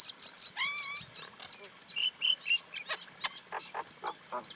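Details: Common Indian myna mixing bright piping whistles, a wavering slurred whistle and nasal chirps, ending in a series of sharp clicks and short rasps.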